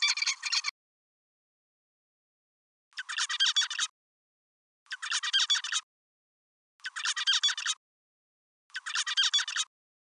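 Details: A juvenile zebra finch, developing its song from memory of its father's song, repeats short, buzzy, nasal song phrases about every two seconds.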